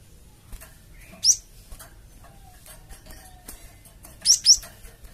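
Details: Java sparrow lure call for provoking a flock of untamed birds into answering: two bursts of sharp, high, rising chirps about three seconds apart, with faint scattered ticks and clicks in between.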